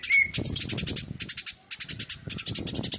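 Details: Eurasian tree sparrow chattering: a short whistle opens, then steady bursts of rapid, sharp high chirps about eight per second, with low rustling background noise throughout.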